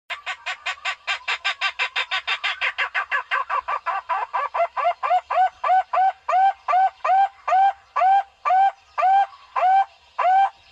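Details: Barbet call, recorded as a lure for bird trapping: a fast run of hoarse, harmonic notes that starts rapid and dense, then slows into evenly spaced, rising-falling hoots about two per second.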